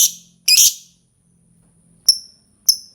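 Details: Lovebird giving two loud, shrill, high-pitched chirping bursts, then two short sharp squeaks separated by silence.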